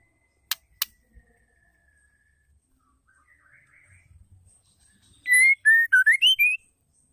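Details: A female white-rumped shama, whose calls are meant to trigger males to sing: after faint distant whistles and two sharp clicks, a loud phrase of clear slurred whistles bursts out near the end, rising and falling in quick steps.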